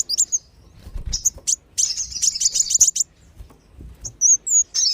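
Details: Sunbird lure, wulung and sogon types, used to make wild birds descend: isolated high chirps, then a rapid run of about a dozen sharp ticking notes, ending with slurred whistles.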